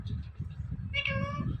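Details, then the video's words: Talking pet parrot uttering "Mithu" once, a single drawn-out harmonic, nasal syllable in the second half, set against constant low-pitched background noise. "Talking Parrot Saying Mithu"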